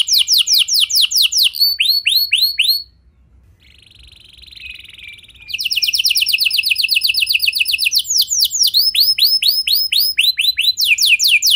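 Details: Canary singing meant to set other canaries singing: fast rolling trills of falling notes, a short buzzy steady tone mid-phrase, then a resumed dense trill and slower swooping notes.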